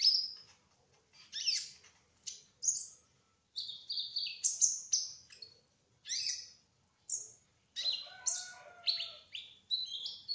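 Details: Sunbird, locally called kolibri ninja trotol, singing energetically: high, sharp chirps and short jumpy whistled phrases in quick succession, with a few pauses and a brief lower buzzy note.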